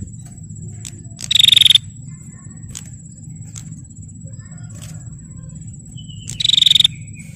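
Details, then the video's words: Bar-winged prinia female, calling to provoke males, gives two short buzzy trills of rapid pulses about five seconds apart, with faint thin notes between and a steady high-pitched hum plus low background noise. "Suara Prenjak Betina Gacor Tarung Pancing Prenjak Jantan Biar Gacor dijamin NYAUT EMOSI dan Bunyi"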